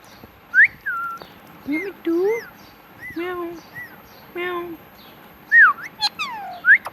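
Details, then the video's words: Pet talking parrot producing word-like utterances: short rising and falling whistles mixed with lower, harmonic voiced syllables, some flat and drawn out, separated by brief pauses. "Talking Parrot Mitthu Mitthu"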